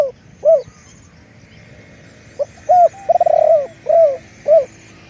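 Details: Spotted dove decoy giving two isolated coos, a short silence, then a phrase of a quick note, a rattling purr flowing into a long mellow coo, and two closing hooked coos, over quiet high background chirps.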